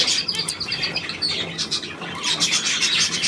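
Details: Budgerigars, 9 February 2024, starting with a run of quick, evenly spaced high chirps, then sliding into thicker scratchy chatter from several birds.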